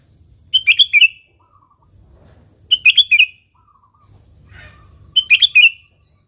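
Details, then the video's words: Three evenly spaced bursts of bubbly, chortling notes from a sooty-headed bulbul in gacor singing, recorded pure without added birds, as a lure for other bulbuls. The phrases come roughly every two and a half seconds over soft low noise. "Suara Burung Kutilang Gacor ASLI Tanpa isian,Ampuh tuk pancingan Kutilang bikin kutilang Ribut gacor"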